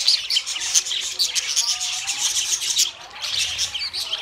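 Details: Budgies warbling busily, a thick mesh of squeaky chirps and rasping trills that stays loud, then eases slightly near the end.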